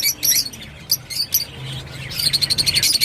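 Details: Rosy-faced lovebird making a few separate shrill squeaks, then breaking into a quick, even run of high chattering notes.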